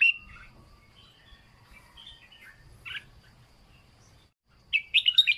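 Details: Red-whiskered bulbul song, "plai loi" style, for training: soft chirps and one short bright note mid-clip, closing with a loud rapid run of warbling whistled notes.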